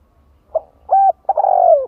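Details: Decoy spotted dove calling to attract and excite other doves: a brief soft note, a steady hooted coo, then a long rolling coo that slides gently downward, clear and close with slight low hum.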